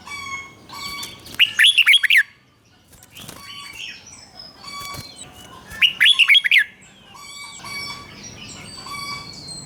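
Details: Doubled song of a caged red-whiskered bulbul, played so young birds can copy it: two loud phrases of quick, warbling whistled notes about four and a half seconds apart, amid clicks and ringing, evenly pitched whistles of other caged birds.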